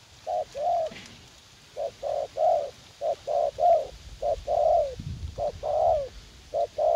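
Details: Spotted dove, a young fight-eager decoy bird, cooing in a U Minh garden: rapid pairs of short and long coos, slightly irregular, with a brief low thump partway through.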